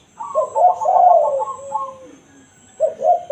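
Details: Spotted dove in 'kuk satu' style, natural voice for luring wild doves: a fast run of pulsed notes merging into a long low coo, then the start of another double-noted phrase.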